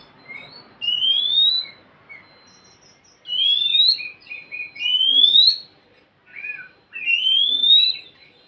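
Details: Oriental magpie-robin song used to prompt a reluctant bird to sing: repeated clear rising whistled phrases, each followed by brief twittering notes, in quiet surroundings.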